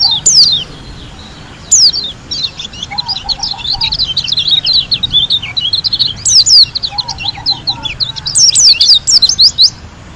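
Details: Pleci, a white-eye from Lombok, singing 'gacor'. Long runs of quick, high, twittering chirps are broken by louder descending bursts. A soft low trill recurs in the background.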